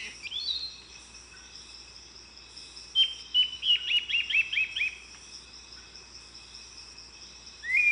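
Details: Lawrence's thrush, the yellow-billed mimic said to imitate more than fifty bird species, delivering a fast run of about ten repeated sharp downslurred notes, with rising whistles before and after, against a constant shrill insect chorus.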